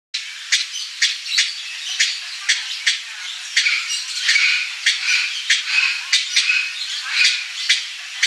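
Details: Blue-bellied parrot giving a continuous stream of harsh, raspy squawks with sharp screeching notes repeated roughly every half second, loud and dense throughout.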